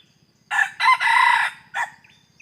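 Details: Red junglefowl rooster used as a decoy to lure wild birds, recorded 17 May 2021: a loud, harsh crow in several broken segments, a short rough opening, a long sustained middle and a brief final note, over quiet background.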